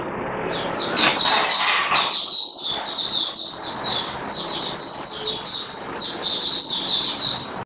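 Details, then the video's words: Oriental white-eye (Mata Puteh Kitaro) in captivity, performing its display song on 27 October 2022: sustained high-pitched buzzy twittering run together without breaks, over a broad background hiss and murmur. "Mata Puteh Kitaro Buka Sing"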